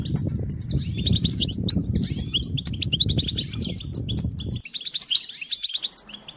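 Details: European goldfinches twittering in a fast, liquid run of high tinkling and buzzy notes, several voices overlapping, over a low steady rumble that drops away near the end.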